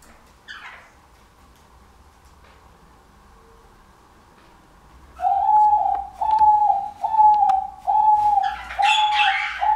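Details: A captive male diamond dove courting a female gives soft, mellow coos, about six in five seconds, each a steady low note dipping at the end; faint higher chirps join near the end.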